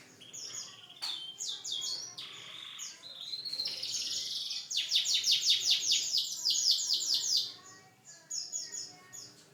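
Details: Canary song of a single pet bird: sharp high notes and a buzzy rattle give way to a long, loud rapid trill of repeated sweeping notes, ending in softer high chips.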